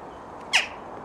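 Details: Jackdaw that visits one person every day, imitating crows and magpies, gives a single loud, harsh squawk that rises and falls abruptly, with a man talking around it.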